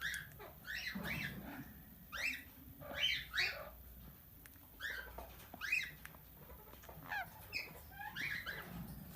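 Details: Pet plum-headed parakeet, tame and described as talking, giving repeated clipped squawks and chirps in irregular bursts, several doubled notes in quick pairs, with brief pauses between groups and low background murmur.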